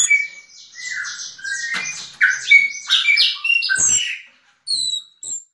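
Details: Yellow-legged thrush of the 'diamante negro' type singing: a dense, rapid jumble of varied squeaky, buzzy and whistled high notes pouring out for about four seconds, then a short pause and two brief thin high whistles.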